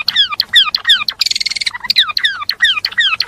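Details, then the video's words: Java sparrow song kept for teaching other songbirds: rapid chirps sliding down from high to mid pitch, repeated about three times a second, broken by a dense buzzy trill in the middle. "KICAU GELATIK BELONG SUPER GACOR MERANGSANG BUNYI GELATIK BELONG BAHAN"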